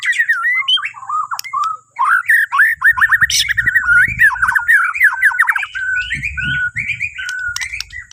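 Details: White-rumped shama from Borneo in a morning song meant to lead other birds into singing: fast chattering runs of squeaky notes, sharp whistles and buzzy phrases delivered almost without pause, soft low thumps in the background.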